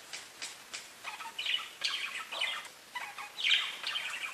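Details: Parakeets singing and chirping together to show they feel safe: soft clicks at first, then overlapping warbled twitters and buzzy chirps in short bursts.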